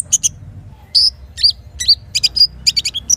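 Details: Little spiderhunter morning song with kinin fill-in, used to coax birds into singing: quick, very high chirps and short whistled slurs bursting in irregular clusters, over a faint low rumble.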